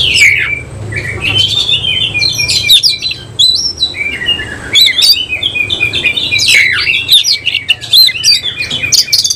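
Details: Oriental magpie-robin of the semi-Cililin type, singing hard within thirty seconds while fluffing up and spreading its tail; rich, fast run of loud whistles, slurred rising and falling notes and sharp chips, nearly continuous with brief pauses, a faint low hum beneath.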